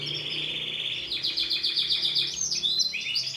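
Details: Bright green canary hen giving quick rolled trills of rapidly repeated notes, followed by a few high, clear whistled slides near the end.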